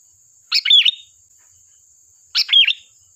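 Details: Lure recording of a sooty-headed bulbul singing two brisk phrases of tumbling chirps finishing in a sweet whistled note, roughly two seconds apart, over a constant thin high-pitched hiss.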